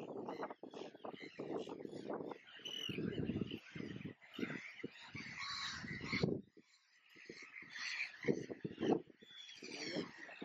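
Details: Arctic terns at the Eider Barrage, Schleswig-Holstein, in May 2022, give harsh, rasping, grating calls in quick irregular bursts, with strong wind rumble underneath.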